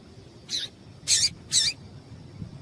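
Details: Three high, sharp chips from a female yellow-bellied seedeater, spaced about half a second apart, the last two louder. The calls serve to get males singing. Soft background hiss.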